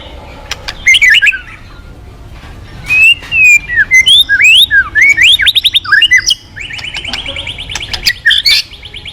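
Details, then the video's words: White-rumped shama singing actively, used as a lure recording to make other birds sing: loud varied whistled phrases, sliding notes and rapid buzzy trills in quick succession, with short pauses between bursts. "Pancingan Burung murai Crpat gacor"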